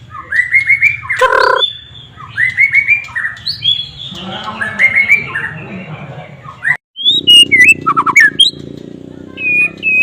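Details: White-rumped shama song with mimicked flycatcher notes: varied whistled phrases, rising and falling sweeps and rapid trills, over a steady low hum and some background noise.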